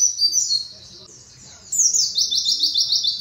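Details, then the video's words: Short excerpt of white-eye training song with canary-like trilling. A slurred high twitter is followed by a pause, then a fast, buzzy, pulsed trill. Faint low murmuring runs in the background. "Burung pleci bahan terbaru nembak kenari rapat mudah masuk untuk pleci bahan"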